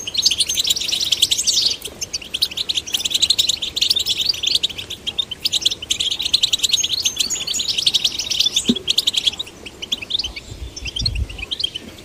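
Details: Goldfinch chicks, male and female, kept caged and encouraged to sing: fast twittering song of dense chirps and short trills, mostly high-pitched, continuous across the recording with a brief low thump near the end.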